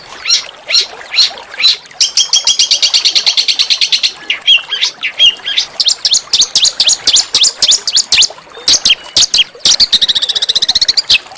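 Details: Rough, shot-like chirping of a small songbird, sung as a master song to spur oriental magpie-robins: fast buzzy rattles and trills alternating with sharp high chips, repeated in quick bursts.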